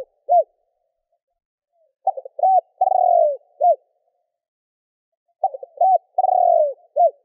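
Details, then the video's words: Spotted dove calling to provoke wild doves: two full cooing phrases, each a few short stuttered notes, a long rolling descending coo, then a brief final hoot. A single hoot opens the clip. Quiet between phrases. "Chim Cu gáy gọi kích bổi / Tiếng cu gáy kích bổi Hiệu quả"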